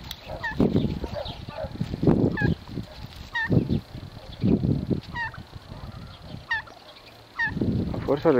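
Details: Several turkeys quarrel over territory: sharp, upward-hooked yelps spaced about a second apart, with bursts of low thumping and scuffling between them and a brief quiet gap near the end.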